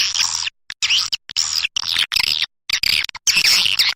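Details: Swiftlet sounds meant to draw swiftlets in, heard as dense, buzzy high twittering in bursts of about half a second, separated by short silent gaps.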